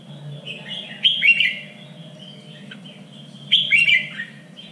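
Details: Training song of a Red-whiskered bulbul for singing contests: two loud liquid warbled phrases about two seconds apart, softer twittering between them, steady low hum.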